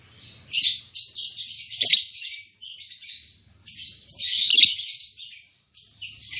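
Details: Albino MM male and lutino MM female lovebirds, just paired, exchange piercing, scratchy chirps in irregular clusters with brief pauses between bursts.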